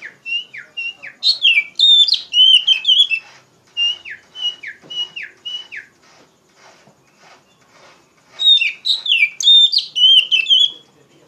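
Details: Loud Oriental magpie-robin song in ngeplong style, a tutoring lure for raw poci birds: a run of identical short whistles repeated about twice a second between bursts of tumbling, varied high phrases.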